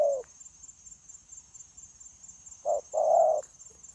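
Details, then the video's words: Spotted dove decoy used for trapping, 9 January 2024: the tail of one coo, a pause, then a short note and a longer warm coo, with a faint constant high whine. "Bổi Quá Chịu Gù | Nết gù liền lạc liên tục"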